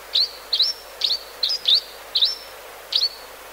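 A Grey-hooded Sierra Finch gives seven short, high, sharp chip notes at an uneven pace, about one every half second, against a quiet background.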